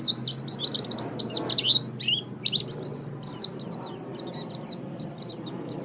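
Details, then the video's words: Oriental white-eye, kept songbird, singing a fast, busy chatter of high thin chirps and sliding notes, packed densely and repeated over about six seconds, with a faint low hum underneath. "Ocehan Burung Pleci"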